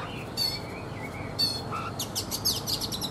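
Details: Morning singing from a mature wild-caught Oriental magpie-robin, three seasons in a cage: a soft whistled note and high chirps, then a quick run of rapid high notes at the end, over a constant hum.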